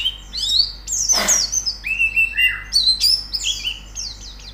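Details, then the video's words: White-eye training song: high chirps and lilting slurred whistles stepping down in pitch, with one sharp broadband noise burst near the start. "Terapi Pleci Cepat Gacor Buka Paruh"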